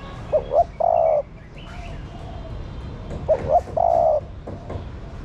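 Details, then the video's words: A female spotted dove coos to stir up male doves, giving two phrases about three seconds apart; each is two short hollow notes, then a long, even, drawn-out coo over a soft background hiss. "Tiếng Chim Cu Mái Gáy Kích Bổi"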